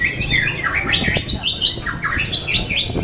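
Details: White-rumped shama singing at a songbird contest in Lampung. The song is a rapid run of bright, sweeping whistles that rise and fall, with sharp high notes over a low room hum.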